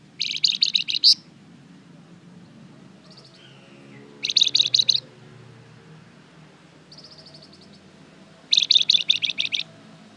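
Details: Flamboyan bird in strong, active song used to provoke other birds to respond: three bursts of rapid, high, ringing chips roughly every four seconds, with softer chipping between bursts.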